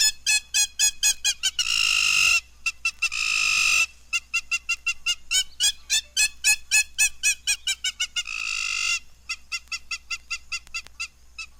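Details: Hamerkop (Scopus umbretta) distinctive call, given first by a single bird and then by several in chorus: rapid, sharp nasal yips about four per second, broken by longer harsh wavering squeals.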